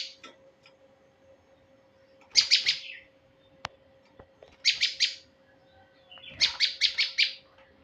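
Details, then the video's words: Male prinia, recorded for luring birds: three short bursts of rapid, buzzy chattering notes, each burst of three to five high notes, separated by pauses of about two seconds, over a faint steady hum and a few clicks. "pikat burung prenjak jantan"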